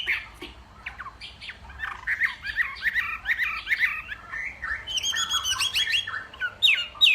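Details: Northwest Vietnam hwamei in a singing contest at morning practice; a jumbled stream of short whistled slurs and harsh chattering notes, growing louder with sharp upswept whistles near the end.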